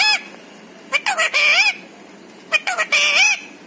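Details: Pet parrot talking, known to say words such as papa, mummy and Radhe Radhe; two short bursts of raspy, speech-like syllables with wavering harmonics, separated by a quiet pause.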